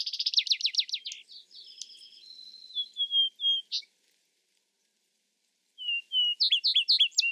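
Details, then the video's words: A vesper sparrow delivers a rapid trill, then a thinner buzzy stretch and a few whistled notes, pauses, and begins a new song with two whistles and quick chirps. "Vesper Sparrow Bird Sound Bird Song Bird Calling, Chirps"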